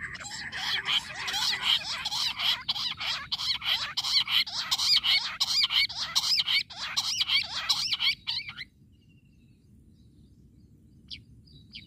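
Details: Jungle bush quail calling on a hunt: a dense, squeaky chorus of rapid, scratchy chirps repeated without pause for about eight seconds, then abruptly stopping, leaving near silence with a couple of faint ticks.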